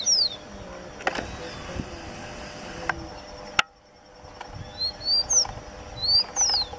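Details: A single rufous-collared sparrow at Parque Finky, Turdera, Lomas de Zamora, Buenos Aires, Argentina, on 29 November 2017 gives high, thin slurred whistles, some rising and some falling, in short phrases, over steady noise and a few thumps.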